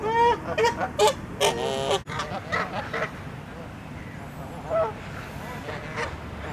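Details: Canada geese in an angry flock fight, charging at one another: a quick burst of loud, harmonic honks over the first two seconds, then fainter scattered honks and a distant high squeak.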